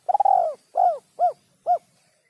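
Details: Spotted dove coo phrase for training songbirds: a stuttering rolled coo, a smooth falling coo, then two short clipped coos spaced about half a second apart.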